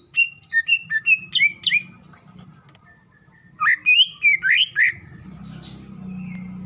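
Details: Calling female greater green leafbird, a lure to make other leafbirds sing: two bursts of rapid whistled notes, each note sliding up or down, about six per burst. A lull falls between the bursts, ending in a low hum.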